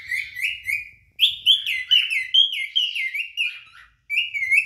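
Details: Two adult cinnamon cockatiels singing and displaying to attract a mate, indoors: warbling, whistled phrases of rising and falling slurred notes, a short series, a pause near one second, then a longer run of chirpy whistles, and another pause before more.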